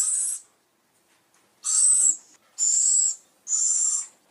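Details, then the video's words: Owl screeches used for luring birds: four hissing, rasping bursts of about half a second each, the last three coming roughly once every second after a pause. "Masteran suara burung Hantu untuk memikat burung"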